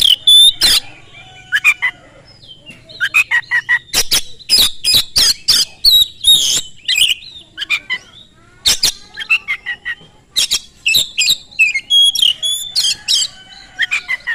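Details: Oriental magpie-robin pouring out rapid, nonstop song, played as a lure to provoke other magpie-robins to join in: loud harsh rasps and clicks alternate with sweet whistled slurs and trills in a long, varied, tumbling sequence.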